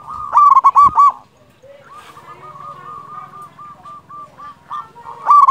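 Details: Local zebra dove sound meant to stimulate other doves to sing: a short loud burst of clipped coos at the start, then a long, soft, steady rolling series of small coo notes, and another loud burst closing.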